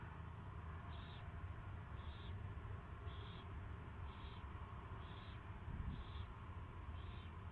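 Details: Owl at its first feeding, 24 February 2016, 2:15 PM: seven short raspy calls repeated roughly every second, evenly paced, against a steady low hum.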